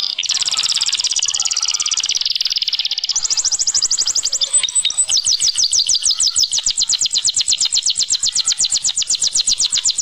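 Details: Canary song with long rapid trills, a dense buzzy roll at first, then a very fast high trill of clipped notes sustained for several seconds.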